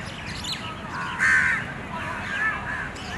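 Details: In morning time, a young bird follows its mother begging for food. One loud, rasping call stands out in the middle among fainter calls, over a steady noisy background.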